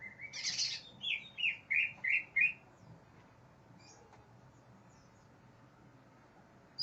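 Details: Greater green leafbird, raging and seeking a rival, gives a harsh opening burst followed by five rhythmic, downward-slurred whistles at a brisk pace, then falls quiet with only faint background hum.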